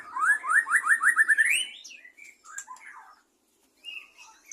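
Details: White-rumped shama from captive breeding delivering a rapid series of about eight rising, ringing whistled notes that climb in pitch, followed by scattered softer chirps and whistles.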